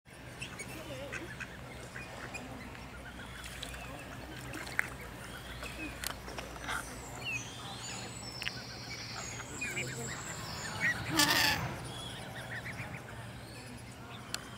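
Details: Common moorhen parent giving short, harsh calls, one loud bleating burst almost like a sheep, over a low steady hum and other faint bird chatter.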